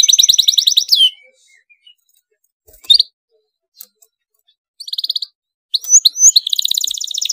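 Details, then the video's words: Canary song in an excited rolling style meant to set off other canaries: a fast trill at the start, mostly quiet gaps with a few short notes, a brief trill burst and a closing rapid trill. "KENARI GACOR EMOSI NGEROLL RAPAT, DIJAMIN KENARI LAIN AKAN NYAUT IKUT GACOR"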